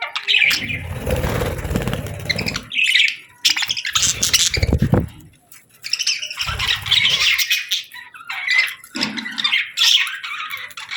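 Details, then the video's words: Summer parakeet chirping: several loud stretches of harsh, buzzy chatter and squeaky warbles broken by short pauses, with rumbling low thuds underneath some bursts. "Parakeets Chirping Sounds"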